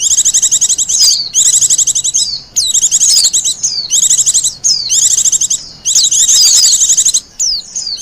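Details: A wild Japanese white-eye pours out high, fast trilled phrases of about a second each, separated by short breaks and studded with quick falling whistles, as a lure and master song.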